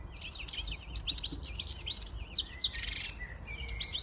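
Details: High, rapid twittering song from a siskin x goldfinch hybrid, mixing sharp chirps, sliding whistled notes and a short buzzy trill, with a soft hum in the background.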